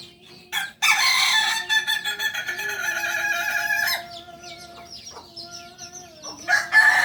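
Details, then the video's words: Kokok Balenggek rooster, a native singing chicken of Solok, crowing: a loud harsh opening burst, then a long stepped tail of drawn-out tonal notes that shift in pitch, ending with a brief loud call; faint high chirps behind. "Ayam kukuak balenggek ayam penyanyi asli solok"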